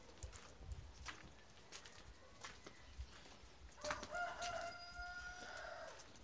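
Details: Rooster on a farm, heard on a short farm tour. After a few seconds of faint rustling and taps, a distant, tonal crow rises and holds, trailing off over about two seconds.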